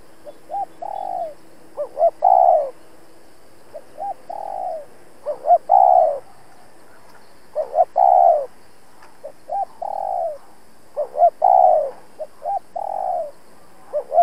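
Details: Long run of challenge calls from a decoy spotted dove used for trapping: about six phrases, soft paired notes, quick double notes and a loud falling coo, repeated steadily every two seconds.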